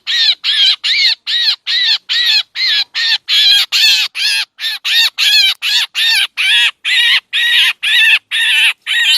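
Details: Lure recording of a black drongo, used to attract birds for trapping: a long run of over twenty grating, scratchy squawks, evenly spaced at a little over two per second, each with a slight upward inflection.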